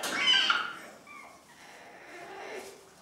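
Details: Cockatoos in family life indoors; one harsh, noisy screech opens and fades within half a second, followed by faint tonal squeaks.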